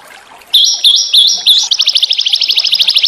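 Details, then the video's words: Small songbirds, recorded in a natural setting, give four quick, bright, high phrases, then break into a fast, even trill of about ten notes a second. "masteran burung kecil agar murai batu gacor"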